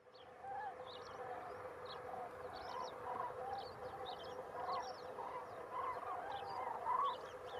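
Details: A flock of common cranes in Extremadura, Spain, trumpets together in rolling, overlapping bugles, with a steady low hum underneath and a few higher chirps.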